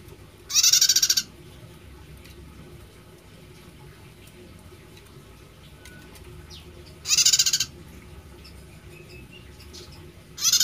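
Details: Prinia with an unusual, distinctive voice repeating a harsh, rapidly pulsed buzzy burst roughly every three seconds, three bursts in all, with scattered faint ticks and soft high notes between over low background noise.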